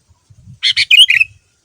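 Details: Sooty-headed bulbul, a male singing persistently with a song full of learned fills, used as a lure to get other bulbuls to answer: a brief run of four clear chirpy notes, the last two sliding and whistled, in quiet surroundings.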